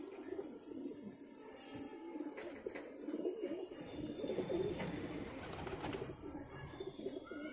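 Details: Pigeons from a pair coo steadily in low, rapid, bubbling phrases that swell in the middle of the clip, with a high hiss and light rustling behind.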